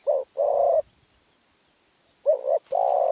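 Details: Spotted dove from Phrae, Thailand, giving low, mellow coos: a short note, then a longer drawn-out coo, a pause, and another short-long pair, with a faint click near the end.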